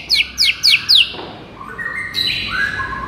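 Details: White-rumped shama singing in a tutoring recording meant to provoke a listless shama: four sharp, falling notes in quick succession, a brief pause, then a run of sustained clear whistles at varied pitches.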